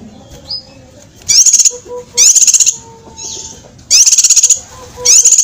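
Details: Cucak kinoi master song used to train competition birds: loud, sharp high bursts of rapid ticking trills in short phrases, separated by quieter pauses with faint low whistled tones underneath.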